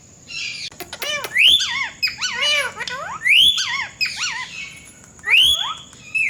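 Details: Pet Indian ringneck parakeet known for cat-voice mimicry utters loud up-sweeping squeals about every two seconds, each followed by chattering wavy chirps, with a steady faint high tone running underneath.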